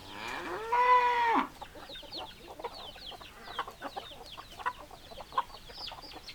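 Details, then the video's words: Rooster gives one loud, sustained harmonic crow that ends abruptly, followed by a run of short clucks and chatter from hens in the background. "Chicken Sounds Noises Hens Clucking Roosters Crowing"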